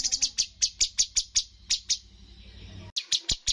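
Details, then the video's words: Light-vented bulbul (cucak cungkok) from a bird competition, in the 'tembakan' (shooting) style: a quick series of sharp, high clicking notes, about seven in the first half second, a short pause, then a fresh burst of clicks. "cucak cungkok full tembakan poin tertinggi dalam perlombaan burung"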